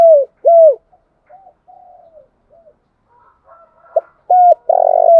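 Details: Lure call of a spotted dove used for bird trapping: two falling coos, a stretch of soft quiet coos, then a sharp note, a clear coo and the start of a long rolling purr.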